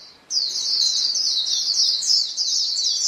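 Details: Several white-eyes call to each other as a flock, a sound used to coax caged birds into song: after a short quiet start, a steady rush of high, sibilant chatter with slight rises.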